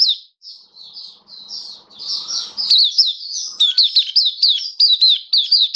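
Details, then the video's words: Recorded on 27 October 2022, a kept Oriental white-eye starts with soft drawn-out high whistles amid faint rustling, then breaks into an energetic string of sharp, falling chirps. "Mata Puteh Kitaro Buka Sing"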